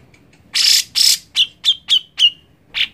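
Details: Grey-cheeked bulbul song, played to encourage a reluctant bird to sing: two loud, harsh, noisy bursts followed by five short sharp notes with falling whistled tails, about three per second, on a quiet background.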